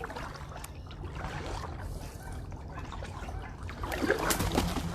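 Paddle strokes and trickling water with a low, steady rumble, and no clear animal voice.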